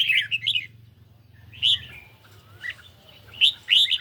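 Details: Red-whiskered bulbul kept in a cage, dueling with song played from a phone under mild sun: a quick warbled phrase, a gap, then scattered sharp chirpy notes and more lively slurred bursts, with a faint background hum.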